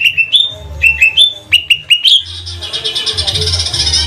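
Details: Greater green leafbird, cucak ijo trotol of Banyuwangi, kept as a lure bird for making others sing. Three short rising whistled phrases repeat, followed by a dense buzzy, scratchy chatter over a low droning hum.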